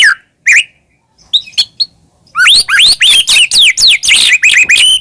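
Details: White-rumped shama song played as a lure to make caged shamas sing: two isolated whistled notes and soft chips, then a loud, rapid run of rising, sweeping whistles about four per second.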